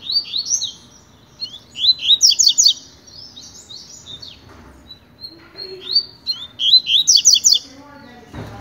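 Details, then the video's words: Double-collared seedeater, a pure-song tutor bird used to train others, delivering repeated bursts of high, rapid twittering and buzzy trills separated by pauses, with a brief human voice and a thump at the end. "COLEIRO TUI TUI PROFESSOR TREINANDO"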